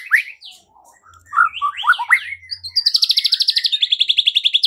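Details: White-rumped shama lure song for provoking other birds to fight and sing: scattered slurred whistles climb into a varied phrase, then give way to a fast, steady rattle of high notes lasting nearly two seconds.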